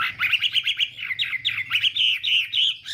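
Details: Rich, fast warbled whistles from a Chinese hwamei in morning fighting song for voice training and provoking singing, notes tumbling about four per second over a soft low hum.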